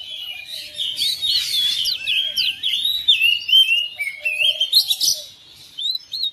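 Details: Home-kept oriental magpie-robin singing in quick response to another bird: a continuous, varied run of bright whistled and chattering phrases with sliding notes, loud and busy for about five seconds, then fading to softer notes.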